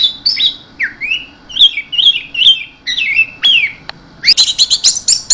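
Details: Orange-headed thrush in full, intense keserr song, mixing descending whistled slurs and warbled phrases, then a rapid series of high, clipped notes repeated about five times per second.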